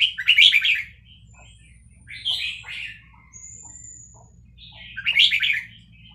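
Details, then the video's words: Excited Vietnamese red-whiskered bulbul answering a recording of chicks, using a fast-linked song style: three loud warbled phrases about two seconds apart, with a drawn-out high whistle between them and low background hum. "นกกรงหัวจุกเวียดนาม ต่อดอกเร็ว เปิดยั้วลูกนกฟักแล้วคึกร้องตาม"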